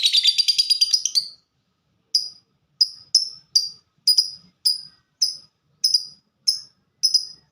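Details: Lovebird of the fighter type: a brief burst of fast high chatter, then after a pause a slow series of single sharp high chips spaced roughly half a second apart.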